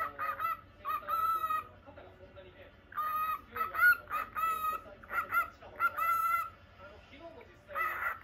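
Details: Caged lutino cockatiel kept as a pet gives repeated ringing, harmonic-rich squawky chirps in clustered bursts of two to four notes, separated by short quiet gaps over a low steady hum.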